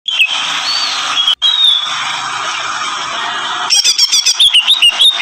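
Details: Agitated greater green leafbird screaming: a long harsh, hissing screech broken by a brief gap, then a run of rapid high chirps and slurred whistles near the end.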